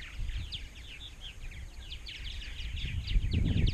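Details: Purple martin colony chorus in Rainsville, Alabama, about 920-930 pairs. Quick, crowded chirps and twitters repeat several times a second, with low wind buffeting rising toward the end.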